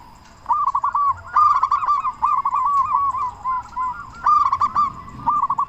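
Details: Local zebra dove in loud, full-voiced song, used as a lure to prompt other doves to sing: rolling, resonant coos in quick phrases, several bursts then pauses, with a brief quiet lead-in.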